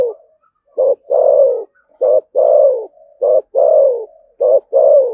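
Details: Deep "thổ sấm" voice of a spotted dove from Đồng Nai, Vietnam, doing "thúc gù" cooing. A short clipped note leads into a long, descending coo, repeated four times at roughly one-second spacing.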